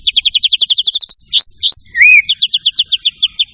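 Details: Loud white-rumped shama song with a quick series of repeated chips, a pair of sliding whistles, one clear arched whistle, then another fast run of repeated notes.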